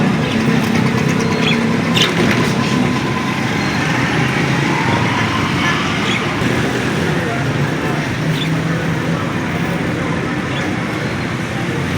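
Steady road traffic and engine rumble with faint voices, and no animal calls.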